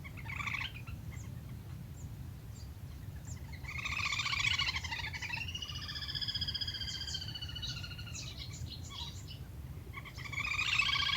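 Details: Lesser whistling duck calls played as a hunting lure: short buzzy bursts of harmonic whistled notes, then a longer run of wavering, stacked whistles mid-clip, over a steady low rumble throughout.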